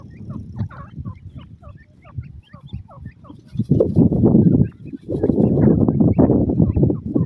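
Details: Male grey francolin calling: a run of short, sharp, slightly rising notes repeated several times a second. After about three seconds they are swamped by loud, low rumbling noise.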